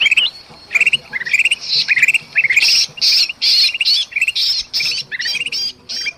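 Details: Agitated bulbul racket for luring birds, Sumatran forest. Opens with sparse rising chirps, then builds into dense alternating harsh squawks and quick slurred notes, repeated in a steady rhythm.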